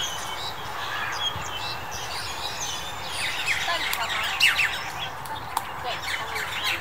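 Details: Black-collared Starling calling in January 2021: loud harsh squawks and chattering notes with some clear whistled phrases, over a dense background of other birds chirping and a person's voice.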